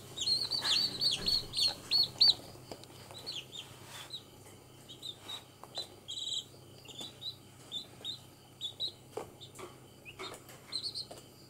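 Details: One-day-old chicks outside on green ground: a fast run of high clear peeps at first, then softer, shorter chirps spaced through the rest, among clicks and scuffling.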